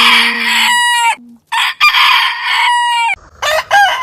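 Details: Rooster crow among heritage chicken breeds: two bright, buzzy crows, each held about a second before a falling finish, with a short low note between them and a final choppy crow.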